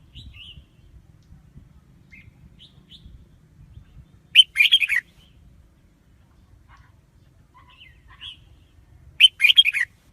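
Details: Red-whiskered bulbul decoy song used to attract wild birds for trapping: faint soft chirps, then two loud bursts of rapid, bright warbled notes about five seconds apart over a low rumbling background.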